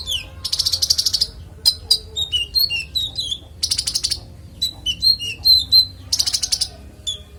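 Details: Konin (Van Hasselt's sunbird) in varied, clear song for training other songbirds: three fast buzzy high trills alternating with scattered squeaky chirps and short whistled notes that slur up and down.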